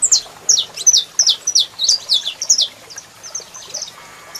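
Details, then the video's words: Male saffron finch singing as a female calls, a quick series of high, slurred descending chirps roughly every quarter second, fading into softer, thinner notes toward the end. "Canario da Terra Cantando Muito e Fêmea Chamando"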